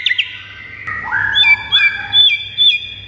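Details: White-rumped shama song played to excite pet birds: a few low rising whistles followed by high, clear notes that repeat with a dipping flourish roughly every half second.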